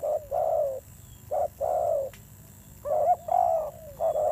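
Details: Newly caught wild spotted dove giving fierce-toned coos, two short-long pairs of deep notes, a silent gap with a single click, then a stuttering burst of quick notes leading into a long coo and another short note.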